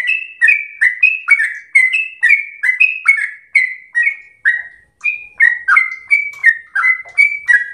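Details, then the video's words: Yellow-vented bulbul singing in 'gacor ropel slow' style, used as tutoring song for home-kept birds: a steady stream of short, bubbly whistled two-part notes, dropping then rising, in bright phrases with brief pauses. "trucukan SUPER GACOR ROPEL SLOW terbaik untuk masteran trucuk rumahan"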